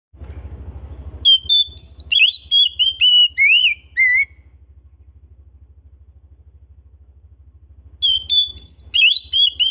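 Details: Home-kept Oriental magpie-robin singing loud, clear whistled phrases: a run of rising and falling slurred notes for about three seconds, then silence and another burst. A steady low mechanical hum pulses underneath throughout.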